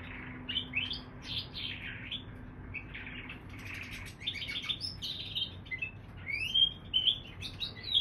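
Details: Singing canary-bullfinch hybrid: scratchy twitters and chirps at first, then a denser burst of notes and a few sharp rising whistles toward the close; faint wing or rustling sounds.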